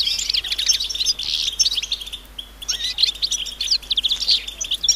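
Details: Group of European goldfinches twittering in the wild, calls of mating readiness said to stimulate males: bursts of bright jingling chirps and buzzy trills, a brief pause midway, then renewed chatter.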